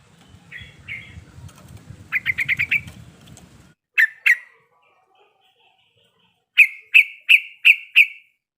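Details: Female sooty-headed bulbul in breeding condition calling to a male. Short chattering phrases over a low rumbling background give way to two sharp notes, then five clear, evenly spaced, slightly rising calls.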